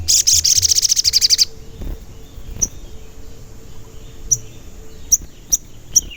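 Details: Crimson sunbird (sogon), an energetic singer used as a lure to set other sogon singing: loud rapid high trill of about fifteen pulses, then isolated sharp high chirps spaced over several seconds.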